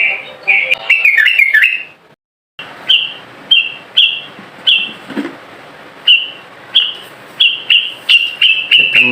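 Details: A young, wild-caught captive yellow-vented bulbul (trucukan), still untamed, sings short, bright, bubbling whistled phrases about every half second to second at a fairly high pitch, with a brief silent gap.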